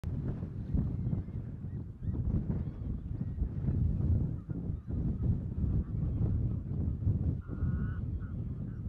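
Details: Lesser white-fronted geese in Strijen, Netherlands, in March 2024 give high, squeaky yelping calls, scattered through the clip and clearest near the end, over a heavy low rumble of wind.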